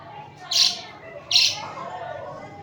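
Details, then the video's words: Budgerigars cuddling and fighting: two loud, bright, clipped chirps, under a second apart, stand out clearly above a soft background hum. "Budgie chripping"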